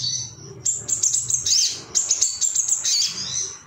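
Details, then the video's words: Male ruby-cheeked sunbird, agitated and looking for rivals, singing a fast, very high twittering phrase of sharp chirps and sliding whistles, with a brief pause in the middle; faint low background hum. "MASTERAN SOGON AGAR CEPAT NGALAS GACOR ❗BAHAN TERAPI SOGOK ONTONG"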